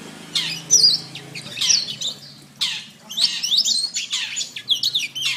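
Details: Canary masteran song for training other canaries: high, quick chirped phrases and rising-falling whistled sweeps in bursts, with short pauses between groups and a faint low hum beneath.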